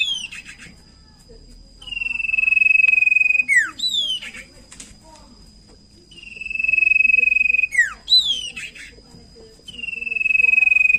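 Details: Common iora (cipow sirtu) singing energetically as a lure to get other birds to sing: three long, even, tremulous whistles, each followed by quick down-slurred notes and a brief falling phrase, with faint low background rustle.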